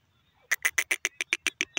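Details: Grey francolin calling: a quick burst of about ten harsh, clipped notes, evenly spaced at roughly eight per second, each loud and broad, with a faint low hum behind.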